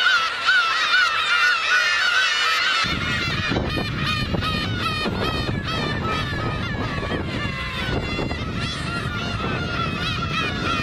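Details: Black-tailed gull flock on Kabushima island, winter, New Year's Day 2015, unusually many birds; a constant chorus of mewing calls, with strong wind rumble buffeting the microphone after the first few seconds.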